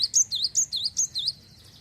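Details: Java sparrow (glatik wingko), a prolific singer, its song used to prompt other Java sparrows to sing: five high, wavy, bell-like notes, each dipping then rising sharply, delivered in a quick even series lasting about a second and a half.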